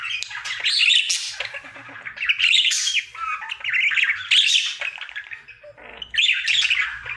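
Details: Singing male pet budgie on his daily routine: bursts of rasping chatter, squeaks and whistled notes, each phrase ending in a short dip before the next burst starts, roughly every one to two seconds.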